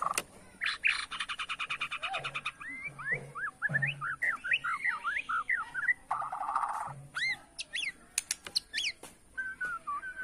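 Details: White-rumped shama of Borneo in its bowing style, provoking rivals: a rapid rattling trill, then many quick up-and-down whistled notes, a buzzy stretch and high sweeping chirps, fairly quiet overall.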